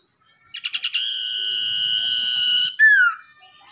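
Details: Wild-caught, tamed common iora (cipoh, sirdung ekor hitam) singing as a lure bird: a few quick stuttered notes open into a long, steady, high whistle held nearly two seconds, then a loud slurred note falling away.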